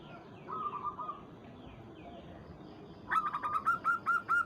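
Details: Local perkutut or zebra dove calling a rival: a faint soft coo at first, then a loud, fast series of hooked, ringing cooing notes in the final seconds.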